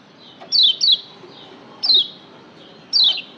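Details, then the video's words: Caged Lombok yellow white-eye, played as a master recording to excite pet birds into singing: short, high, thin notes sweeping sharply downward, given singly or in quick pairs, with gaps of about a second and soft background hiss. "masteran Kecial Kuning pendongkrak emosi bikin Kecial Joss lebih ngotot"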